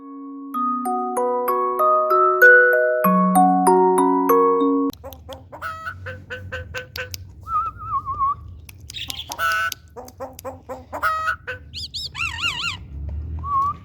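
After a short musical tune, a common myna strings together clucking, harsh chattering notes and bright rising whistles, mimicking a hen.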